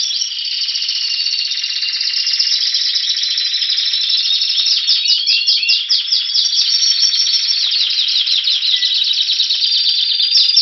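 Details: Spanish Timbrado canary recorded in Anavissos, Greece, in February, waiting for spring; long unbroken song of bright rolling trills and metallic repeated notes, changing tempo through several tours without pause.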